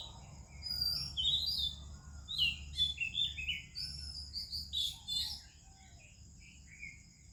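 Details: An Oriental magpie-robin sings melodiously at morning time alongside other birds, giving varied high whistles and quick chirps that cluster in the first five seconds, then fade to quieter, more scattered notes over a low rumble.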